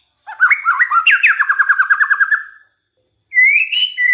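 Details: White-rumped shama lure song to make other shamas sing: rising slurred notes flowing into a rapid rattling trill of evenly repeated notes, a pause, then a bright upward whistle.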